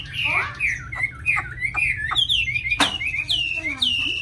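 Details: Tame Chinese hwamei with a much-praised voice giving a varied string of clear whistled slurs and looping notes, some rising and some falling, with one sharp click midway.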